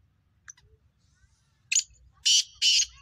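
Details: Black francolin calling, prepared for the breeding season and lively; a few faint clicks, then two loud harsh buzzy bursts close together near the end.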